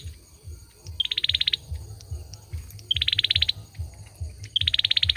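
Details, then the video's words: A male olive-backed sunbird sings three quick buzzing trills, each starting with a brief sharp note and then rattling on for about half a second, spaced nearly two seconds apart over a low hum. "Tiếng sâu dừa trống hót"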